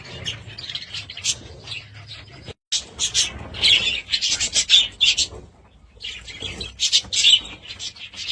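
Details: Budgerigars chattering in dense, high, scratchy warbles, with a sudden brief silence near the start and then a long, busy run of chirps and squeaky notes.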